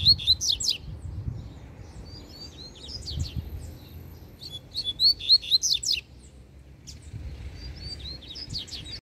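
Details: Double-collared seedeater, free bird challenging another held in a cage, giving repeated bursts of rapid high whistled and chipping notes, three separate phrases spaced by quieter gaps, with faint low background rumble.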